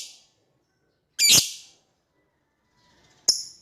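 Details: Lovebird calling out to an opponent: one loud, raspy high shriek in the middle, then a thinner, sharp squeak near the end. Faint calls are also heard.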